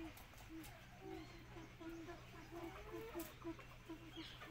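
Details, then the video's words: Red pheasants at a pheasant farm give soft, low clucking notes in quick irregular runs, several a second, over a steady low hum with a few brief rustling bursts. "Red Pheasant sounds, call, voice"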